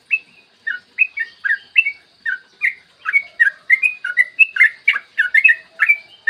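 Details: Morning song of a yellow-vented bulbul in full voice, a long rapid lure phrase for making others sing: chirped notes start sparse, then speed into a dense bubbling chatter.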